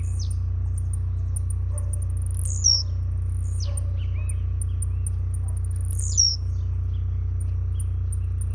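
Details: Blue-black grassquit competing in a singing tournament, jumping type: two high, falling, buzzy phrases about three and a half seconds apart, set against rhythmic high ticks and a continuous low hum.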